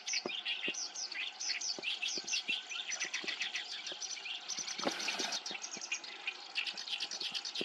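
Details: Black-browed reed warbler singing in Japan, where it arrives to breed as the weather warms; a lively run of high, rapidly repeated chirping and scratchy notes, steady throughout, with soft low ticks beneath.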